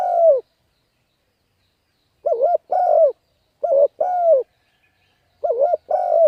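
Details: Spotted dove cooing, used to stimulate and train decoy birds: three separated bursts of low, mellow coos, each a short wavering note followed by a longer, slightly falling one, with silent gaps between phrases.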